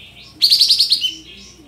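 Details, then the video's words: Lure song of a sooty-headed bulbul with opened tail and full filler, played to make birds sing in shooting style. Quick train of about seven sharp, high pulsed notes in half a second, then a brief trailing whistle. "Kapas Tembak Buka Ekor Full Isian Untuk Pancingan Katem Bahan Agar Emosi dan Ikut Bunyi Nembak Gacor"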